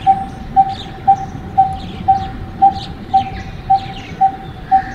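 Coppersmith Barbet giving a hollow, metallic 'tuk' note about twice a second, steady like tapping on copper, with faint chirps of other birds and a low background rumble.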